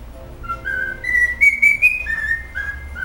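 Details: Cockatiel kept as a pet rehearsing a favourite tune, with smooth whistled notes climbing step by step to a held high tone, then falling back in short descending phrases, a few faint clicks behind.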